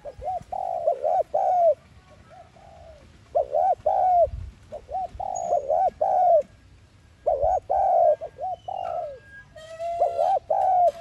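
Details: A lure call for trapping from a spotted dove, in the 'thúc gù' style. Many hooked coo phrases follow one another, and thin higher chirps from another bird join near the end.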